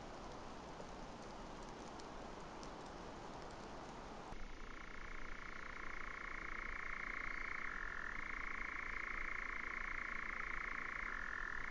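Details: Nightjar churring, 2019: a sustained, dry mechanical trill that starts abruptly and runs on without pause, dipping briefly in pitch now and then, over a low background rumble.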